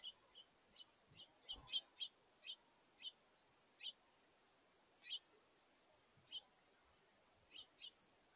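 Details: Short, high chirps come in an uneven stream, roughly four a second at first and then spacing out. A house finch family is visiting a feeder in August, with juveniles jostling for position and feeding.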